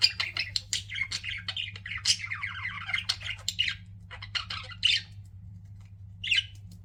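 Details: Several pet budgies chatter indoors in a rapid warbling run of chirps and squeaky squawks, thinning out after four seconds into a few isolated sharp calls, over a constant low electrical hum.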